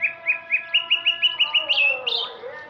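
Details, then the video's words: A male Sumatran greater green leafbird sings in the afternoon, with about ten short clear whistles repeated rapidly and evenly, then a few louder rising, ringing notes. A faint steady hum runs underneath. "suara burung cucak ijo di sore hari"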